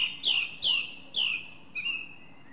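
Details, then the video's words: Song thrush (Turdus philomelos) song phrase: a clear downward-sliding whistle given three times in a row, followed by a different flatter whistled note. "Drozd zpěvný - The song thrush: Zpěv/Singing"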